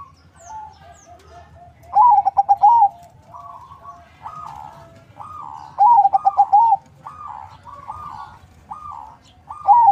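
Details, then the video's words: Zebra dove of mixed local and Bangkok stock, bred in captivity in Bekasi, Indonesia, as a lure bird. It repeats bursts of stuttered cooing every few seconds between softer, evenly spaced coo notes over a low hum. "Perkutut crossing lokal silangan bangkok suara merdu, untuk pancingan"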